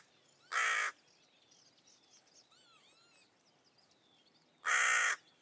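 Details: Two loud, coarse caws from a Hooded Crow on a forest edge in Russia, spaced about four seconds apart, with faint high whistles and trills of other birds between them.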